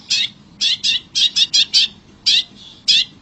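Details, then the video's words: Wild long-tailed shrike singing a series of loud rasping, scratchy notes, some in quick pairs, others spaced apart, roughly two per second. "SUARA CENDET ASLI ALAM GACOR"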